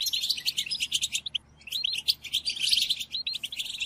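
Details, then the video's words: Goldfinch tutoring song, European goldfinch, meant for captive birds: tinkling twitter phrases, a clear silent gap near the middle, then a run of distinct slurred chirps. "قدم هذه الآصوات لطائرك الحسون وشاهد ماذا يفعل Chardonneret"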